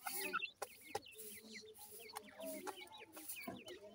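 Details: Several grey francolin chicks peeping while they feed. The notes are high, short and slightly down-slurred, mixed with occasional sharp taps and a faint lower murmur.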